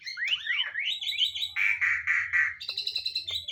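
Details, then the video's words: Asian pied starling (jalak suren), a kept bird singing actively after its care routine, gives tumbling rising and falling whistles, then harsh repeated chattering notes and rough buzzy phrases. "Anda dapat melihat burung itu bernyanyi dengan aktif sepanjang hari."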